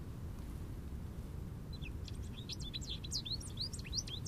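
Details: From an Eastern Red Cedar, an American goldfinch breaks into lively song after a quiet start: fast, high twittering notes with swooping rises and falls filling the last two seconds, above a continuous low rumble.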